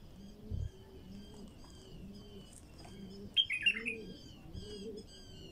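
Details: Raw bulbul song for stirring wild bulbuls to sing: over steady low dove cooing and thin distant whistles, a single loud, bubbling warbled phrase rings out in the middle.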